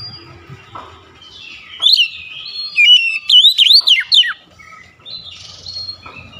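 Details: Active song of an oriental magpie-robin, meant to prompt a quick reply: a soft rising whistle leads into a loud run of bending whistled notes, then fades to quiet warbling.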